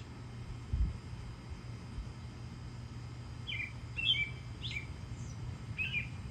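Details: Male American robin singing from on top of its nest in a tree, with robins flying in and out: scattered short, clear chirped and slurred notes in a loose sequence over a steady low hum.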